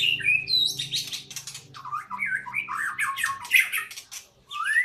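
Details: Song of a white-rumped shama at a breeding site: high whistles followed by dense harsh, buzzy chatter and quick rising and falling notes, ending in an upward slur, with low hum behind.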